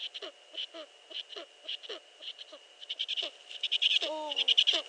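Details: Pre-dawn calling from a Eurasian eagle-owl, 15 March 2013 at 5.31 AM: clipped, scratchy, descending notes quicken and grow louder, then a long wavering whine, over a faint continuous electrical tone.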